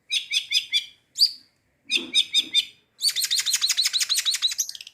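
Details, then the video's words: Long-tailed shrike (cendet) song with mimicked material, including fighting tree sparrow calls: bursts of four sharp, buzzy chirps, a lone rising note, another short burst, then a long rapid run of bright repeated chirps. "CENDET MATERI GEREJA TARUNG GEREJA PETIR KUNTILANAK GETAR RESTU TENGKEK BUTO"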